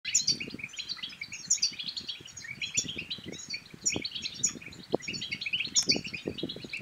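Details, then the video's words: European goldfinch song from Morocco, used to stir other goldfinches to sing and to mate. A continuous, dense stream of fast twittering and tinkling notes, with bright high accents every second or so, over a low rustling background. "بتبتات الحسون بتبتة تنطق اي حسون كان صامت سيغرد"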